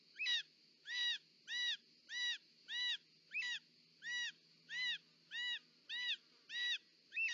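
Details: At a nest in Parc Natural dels Ports, Catalonia, on 18 July 2024, a short-toed snake eagle calls while the female brings in a snake. Eleven evenly spaced arched notes with rich harmonics, roughly every 0.65 seconds, over faint low rumble.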